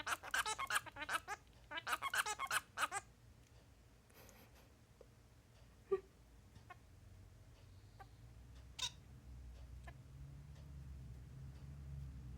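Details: Male Bengalese finch practising its song indoors: about three seconds of rapid, harsh buzzy notes in clustered bursts, then near silence broken by a few isolated clicks and soft taps over a low background hum.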